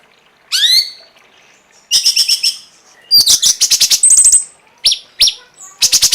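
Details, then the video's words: Cungkok song mixing a rising slurred whistle, fast buzzy stutters and sharp high chips, delivered in lively, varied phrases. "masteran burung cungkok"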